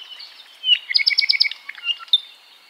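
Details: ʻApapane, native to Hawaii, sings a bright rising whistle, then a brisk trill of about six paired ringing chirps, followed by a few separate slurred notes and a final high squeak.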